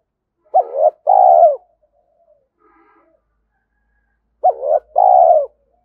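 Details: Cooing of a spotted dove, played to stimulate a caged decoy bird: two deep phrases about four seconds apart, each a quick rising note then a longer falling coo, with faint soft sounds in the gap.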